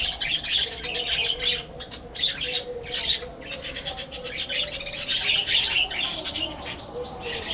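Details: Captive budgerigar flock in a breeding colony, chattering busily: rapid scratchy chirps and warbled phrases in irregular bursts, several birds overlapping, with a low steady hum.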